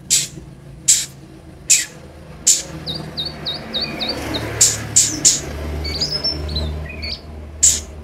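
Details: Lure recording of Van Hasselt's sunbird (kolibri ninja) for encouraging caged birds to sing; crisp high chips spaced under a second apart, broken by runs of thin descending whistles, over a low background hum.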